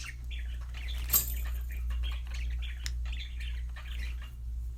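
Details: Soft, rapid budgerigar warble of many small rising and falling chirrups, about two per second, with one sharp click and a steady low hum.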